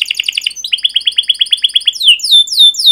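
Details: Canary song for tutoring young canaries: a quick stuttering trill, a steady run of repeated rising chirps, then three loud looping downslurred whistles.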